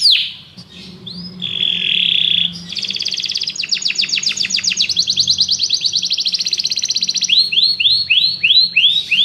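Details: Canaries singing together after hearing music: a buzzy held note, then a long rattling trill of rapid chips. The song ends in a string of repeated arched swoops, about two per second.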